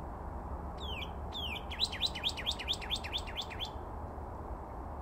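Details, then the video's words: A lone northern cardinal near the Bullfrog Pond, Reach 11 Recreation Area, North Phoenix, on 9 February 2024 sings two slow, clear down-slurred whistles, then a quick run of about nine sharper slurred notes, over a low steady rumble. "Cardinal Song"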